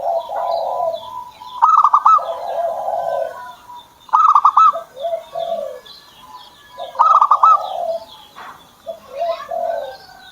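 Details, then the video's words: Kept zebra dove coming into song: three phrases roughly every two to three seconds, each a rapid stuttering burst of bright notes followed by softer, lower drawn coos; light twittering of other birds in the background. "PERKUTUT SAYA JADI MAU BUNYI"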